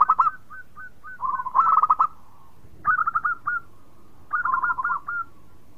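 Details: An actively singing local zebra dove, whose song is said to set other birds singing, gives several bursts of quick, staccato mid-pitched coos separated by pauses of about one to two seconds.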